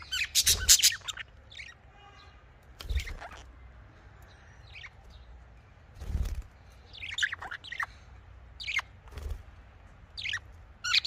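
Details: Budgerigar, known locally as Australian parrot, calling in a breeding setting: scattered short high chirps and warbled notes in bursts every second or two, with quiet gaps and faint low background hum.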